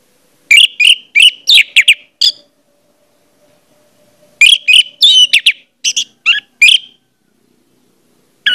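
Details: ['Orange-headed thrush singing to prompt other orange-headed thrushes to sing: two dense bursts of varied, scratchy whistled notes delivered rapidly, separated by a pause of about two seconds.']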